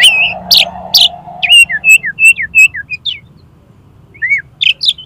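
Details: Oriental magpie-robin used as a master song and lure for contest birds: grating bursts over a low hum, then a quick series of short, clear whistled notes, a pause, and more scratchy phrases.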